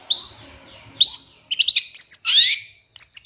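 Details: Long-tailed shrike song used as a master recording to provoke other birds: two loud rising whistles, then clipped chips and a harsh scraping note, ending with a short high trill.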